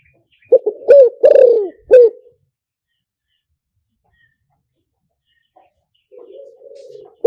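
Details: Spotted dove call used to lure birds through a speaker: one loud phrase of short, hoarse, mid-pitched coos with a longer drawn-out note, then silence and a soft, low purring murmur near the end.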